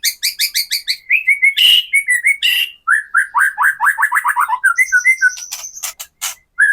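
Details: White-rumped shama singing to provoke captive birds: a repeated series of clear two-part whistles, then a rapid, rising string of rich slurred notes and a high sustained buzz.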